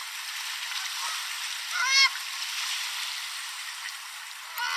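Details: By a lake where wild Canada Geese, Mallards and Ring-billed Gulls were being fed bird seed, a Canada Goose gives a single short, nasal honk over a steady wash of water and wind, with a fainter call at the end.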